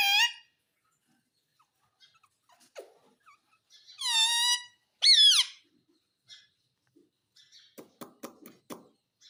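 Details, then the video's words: Pet ring-necked parrot in a small room mimicking words: an opening squawk, then two loud harmonic speech-like calls, the second falling steeply, followed by a quick run of soft clicks. "Talking parrot - Bolne wala mitthu - mitthu mitthu 🦜 Mummy bolne wala tota - papa bolunga"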